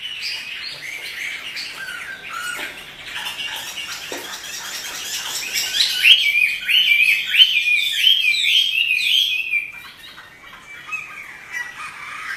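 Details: A kept Chinese hwamei (Garrulax canorus) in full song: a rich, fast run of varied whistles and chirps, growing louder and more rapid in the middle before trailing off.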